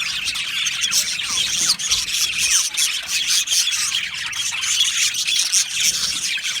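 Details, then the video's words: Budgerigars in an aviary colony keep up a thick, unbroken wall of high chirps, squeaks and scratchy warbling from many birds calling at once. "Beautiful Budgies chirping sounds"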